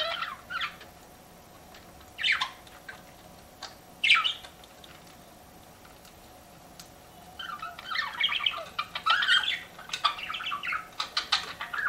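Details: Pet budgies utter a few isolated sharp chirps, then a longer spell of chattering warbles, over a low constant hum.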